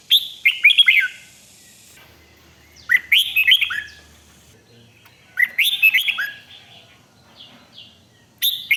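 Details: Red-whiskered bulbul singing in 'rik' style, played to excite other birds: lively, tumbling phrases of chirpy slurred whistles, recurring about every two and a half seconds, in a quiet setting.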